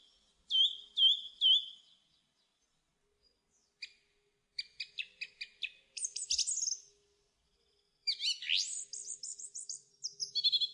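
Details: Song thrush song opening with a bright looping whistle repeated three times, followed by dry clicking notes in a quick series and dense high twittering phrases, with short silent gaps between the sections.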